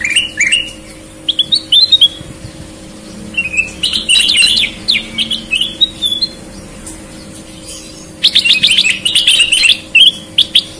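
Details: Sooty-headed bulbuls from Indonesia, red-eyed and white-eyed birds, in lively full song: bursts of bright chirps and warbled notes separated by short pauses, ending in a fast chattering burst over a low constant hum.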